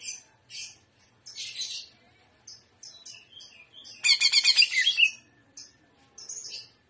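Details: Greater green leafbird singing shrimp style: scattered high chirps and short buzzy notes, then a loud one-second burst of rapid, rich pulsed trilling, followed by more faint high chips.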